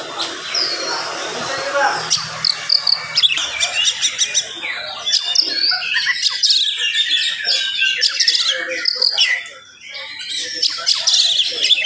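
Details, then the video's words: Fast, crowded morning song of an oriental magpie-robin, given to provoke other magpie-robins; clicking chips and varied whistled phrases pour out continuously, with a brief drop in volume near the end. "SUARA KACER GACOR DIPAGI HARI SPEED RAPAT cocok untuk naikin emosi kacer yang dengar"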